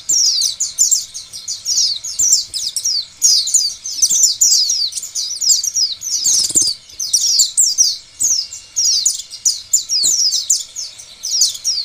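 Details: Oriental white-eye lure song, used to trigger other white-eyes to call. A fast, unbroken stream of thin, high twitters and chirps that rise and fall in quick bursts, with faint background noise beneath.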